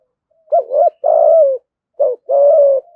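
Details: Provoking call of a spotted dove used to lure rivals into fighting: two phrases, each a rolling double coo leading into a sustained, slightly falling coo.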